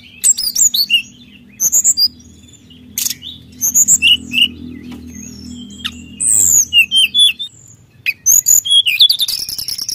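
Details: High, sharp chirps and slurred whistles from a brown-chested jungle flycatcher singing vigorously to stir rivals, in quick irregular bursts over a faint low hum.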